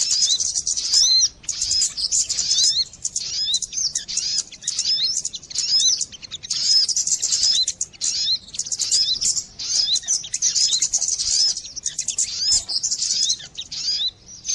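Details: Sogon bird lure sound for trapping birds: shrill, densely packed chirps and tweets in repeated bursts of about one to two seconds, with short gaps between them.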